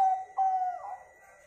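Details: Local-type zebra dove singing as a lure to draw other birds into song: two steady, flat coo notes with a short break between them, fading into a softer tail, over a faint steady hum.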